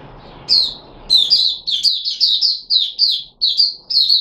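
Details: Puteh Raja red-whiskered bulbul, a kept bird on 13 April 2021 after being fed special fruit juice and a mealworm, delivering a string of clear, slurred, whistled notes repeated in quick succession over soft background noise.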